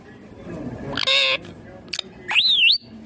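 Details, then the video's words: Broad nasal squawk from a ringneck green parrot, a brief click, then a high whistled note that rises, dips and climbs again. "Ringneck Green parrot Talking Natural Sounds"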